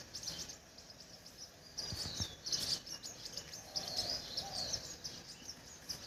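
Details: A crimson sunbird gives rapid, piercing tweets and clinking chirps, clustered in loose bursts every second or so, with a low hum of outdoor noise underneath.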